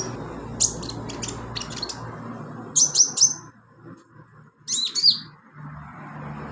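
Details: Kept sunbird giving training filler song in short separated bursts of very high, sharp chirps and quick tinny trills with pauses between phrases, a faint low hum underneath.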